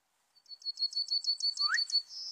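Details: Serin song used to lure birds for trapping: an accelerating series of high repeated notes with a short rising note beneath, ending in a level buzzy tone.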